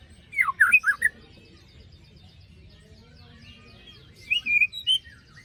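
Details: White-rumped shama lure song for birds gone quiet after moult. A sharp burst of fast dropping whistles opens, followed by faint distant twittering, then a short phrase of rising and falling clear whistles near the end.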